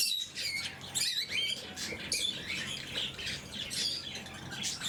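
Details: Blue-mutation lovebirds during morning feeding chatter continuously in shrill, squawky bursts and fast wavering twitters, many birds calling over one another with barely a pause.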